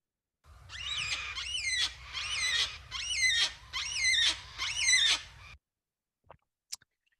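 Yellow-tailed Black-Cockatoo giving six drawn-out, high wailing calls, each rising then falling, roughly one per second, over a low hum; a couple of faint clicks follow.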